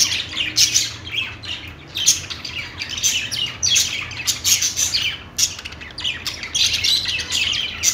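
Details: Parakeet chirping from a group of budgerigars: busy high warbled twitters and harsh little squawks pulsing in rapid bursts, continuous overlapping chatter throughout.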